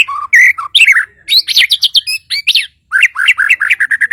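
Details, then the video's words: White-rumped shama from Borneo's Kalimantan singing an energetic, varied song: low mellow whistles rising into high sharp notes, then a brief pause and a fast string of rhythmic repeated chirps. "TERNYATA SEPERTI INI SUARA❗ burung murai batu Kalimantan"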